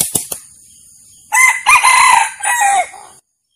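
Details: Male red junglefowl crowing, a real recording used as a lure call to attract wild junglefowl: a few sharp clicks, then a loud hoarse crow in several joined parts lasting nearly two seconds, its last part dropping in pitch before it ends abruptly.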